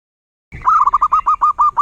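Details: Local zebra dove singing one quick rhythmic phrase of about eight mellow cooing notes, the first drawn out and the rest short and evenly pulsed.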